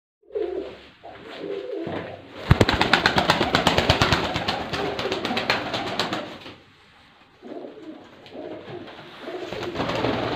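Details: Pigeons cooing low and throaty at the start, then a burst of loud wing-flapping clatter with rapid tapping and scuffling, fading back to softer murmuring coos near the end.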